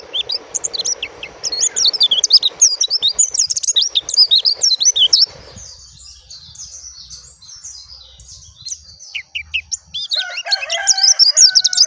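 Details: High, quick warbling from a dakun oriental white-eye, with dense chattering notes that fade midway and then return, over some background hiss early on. A lower, richer bird call joins near the end.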